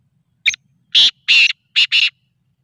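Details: Black francolin (kala tetar, Sindhi tetar) calling during training: a short sharp first note, then four harsh, rasping, broadband notes, the last two run closely together, in an otherwise quiet setting.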